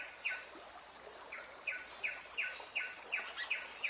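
Blyth's paradise-flycatcher giving short, sharp, falling notes, repeated about every half second, over a steady high insect hiss.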